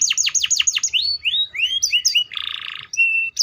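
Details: Serinus canaria song beginning with quick falling sweeps, then rising slurred whistles and chirps, a buzzy rattling burst, and a short steady whistle.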